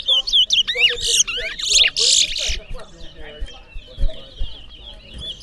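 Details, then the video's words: Competition towa towa seed finch from Berbice delivering quick sweeping chirps and buzzy high bursts, easing into lighter twitters, while low knocks and a voice counting are heard nearby. "Towa Towa Bird Singing Competition"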